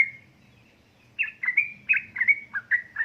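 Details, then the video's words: Female yellow-vented bulbul calling to a male in lively ropel ngeriwik style: a long fading whistle, a second of quiet, then a quick run of liquid, slurred chirps about four per second over a faint hum. "pancingan burung trucuk gacor ropel ngeriwik"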